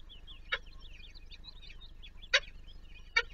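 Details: Peregrine falcon at the Palace of Culture and Science, Warsaw, while an adult feeds its chicks: three short, harsh, rasping calls, spaced irregularly, over high squeaky chick chirps and a steady low mechanical hum.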